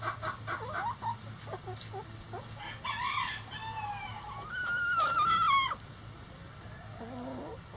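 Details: Rooster crowing in a chicken coop: after scattered clucks, a long harmonic crow rises and holds a sustained, slightly wavering high note for over a second before breaking off, followed by quieter calls.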